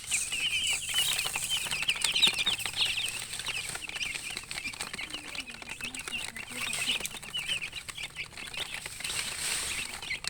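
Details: Thirsty poultry chicks wanting water: a continuous wash of thin, high chirps from a crowd of baby chickens, fairly even in level, with some flapping and rustling underneath.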